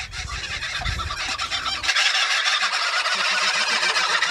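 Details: Captive kookaburras, a female newly put in with a male for breeding. Harsh, rapid, pulsed cackling notes repeat densely, with low rumbling handling noise in the first two seconds.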